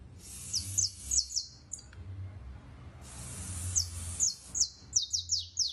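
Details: Competition canary singing high, rapid trills and rolls with repeated descending notes in bursts, broken by brief pauses; low background hum throughout.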